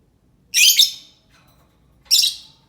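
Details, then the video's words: Lovebird calling as a lure for other lovebirds; a loud rasping double screech followed by a second shorter harsh burst about a second and a half later. "Suara Burung lovebird cocok untuk pancingan lovebird pasti nyaut"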